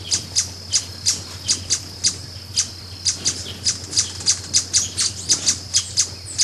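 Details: Brazilian ruby giving a long run of sharp, very high chips, speeding up slightly toward the end, each note short and clicky, with a steady low hum behind.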